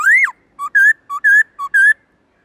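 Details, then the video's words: Forest-voice song of a Black-throated laughingthrush, played to teach other birds: one high arched whistle, then alternating short low and longer higher level whistles in three pairs. "Khướu bạc má HÓT GIỌNG RỪNG tone dài to rõ cực hay| Luyện khướu bạc má hót giọng rừng mỗi ngày"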